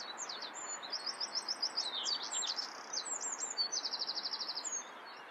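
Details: Common whitethroat (Sylvia communis) in song, a hurried scratchy warble of high chattering notes that finishes with a rapid even trill of around twelve short notes, steady background noise beneath.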